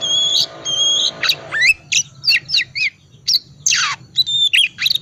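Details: Ngriwik-type Oriental magpie-robin song aimed at making quiet birds sing: two level high whistles, then a series of short harsh downslurred notes and a broad raspy squawk, repeated roughly every half second.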